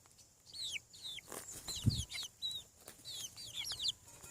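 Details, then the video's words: Hatching chickens on a farm peep in high, downward-curving notes in quick succession, with a low thump partway through. "Chick sounds. Hatching From Egg 7 weeks / Sound of Chickens on the Farm"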